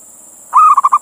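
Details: A male local zebra dove calls to a female, recorded as a lure for other doves. One bright phrase: a held coo breaking into three quick rolling coos over a faint constant high hiss.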